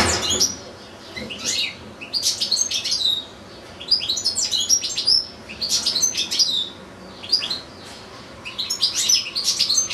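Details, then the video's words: One of two caged goldfinches, kept beside two small goldfinch-canary hybrids, singing on and on: tight bursts of high, tinkling twitters and chirps about every one to two seconds, separated by brief quiet gaps. "ΚΕΛΑΗΔΉΜΑΤΑ ΑΠΌ καρδερίνες & καρδερινοκάναρα"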